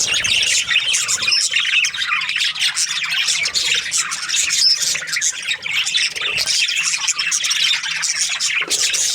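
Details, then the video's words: Breeding-season budgies keep up dense, continuous chatter of grating squawks, chirps and thin squeaks from many birds together. "Happy budgies chirping sounds |Australian budgies breeding season"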